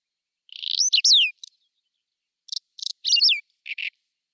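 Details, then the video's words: Whinchat singing in spring, April 2020, Nikon Coolpix P1000 recording: a rising ticking rattle ending in sliding whistles, then a pause before a second phrase of short dry notes and a buzzy flourish. "Il canto degli uccelli del bosco: Stiaccino (Saxicola rubetra)"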